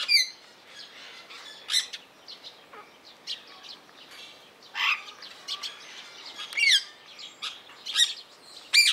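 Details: Irregular series of sharp screeches and squawks from a captive blue rose-ringed parakeet at Opole Zoo, spaced unevenly over several seconds with softer chattering calls between them.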